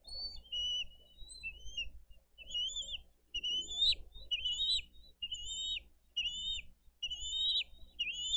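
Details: Bald eagles at a Dade County nest, 22 April 2023, parents bringing in fish and feeding eaglets, the elder eating much, the smaller hesitant; a steady series of high, wavering whistled chirps, roughly one per second.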